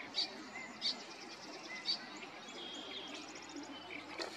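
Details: Marsh wren at Flaming Geyser State Park, Washington State, giving three sharp, high ticking notes, then a fast, rattling burst of repeated high notes, over a steady hiss of background noise.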